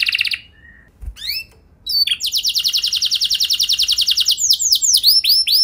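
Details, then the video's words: Canary performing an ornate lure song: a few short opening notes and a pause, then a sustained rapid rolling trill that breaks into curved descending whistled notes. "Langsung Nyaut Gacor Dor Kenari Mana Saja Dengan Pancingan Kenari Lagu Mewah Ini"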